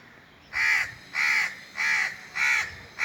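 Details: Crow giving five loud, harsh caws in a steady series, each about a third of a second long and spaced roughly half a second apart, over a faint background hiss.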